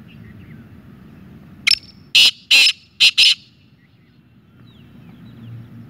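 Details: Black francolin (kala teetar) delivering one loud grating phrase of five harsh notes, a clipped first note, two longer buzzy ones, then a quick closing pair, against faint low rumble.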